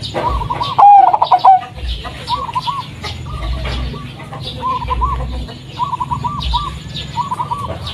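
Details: Zebra dove of the local Blorok Madu variety, whose song is called melodious and bass-toned, played to prompt doves to sing: one brief loud trilled coo early on, then repeated softer bubbling coo phrases from other doves over a steady low rumble.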